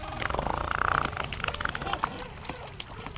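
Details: A colony of king penguins standing in a glacial river at Gold Harbour, South Georgia, gives pulsing, trumpet-like calls around a second long, overlapping in the noisy colony, over a steady rush of water and wind.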